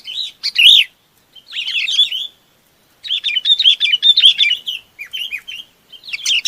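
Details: Chinese babax calling the flock with repeated bursts of quick, looping warbled notes, the longest phrase lasting about two and a half seconds, between short quiet breaks.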